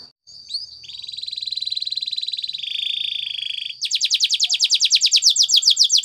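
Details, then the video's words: Spanish Timbrado canary training song for teaching other canaries: a long steady ringing whistle and buzzy held roll, changing pitch, followed by a fast loud pulsed trill of rising notes. "Many canaries join in singing after listening to this song"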